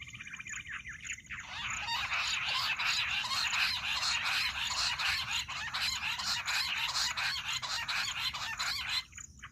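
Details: Jungle bush quail calls used as a hunting lure: a dense, continuous run of rapid chirping notes repeated about four times a second for most of the clip, beginning after a brief quieter stretch.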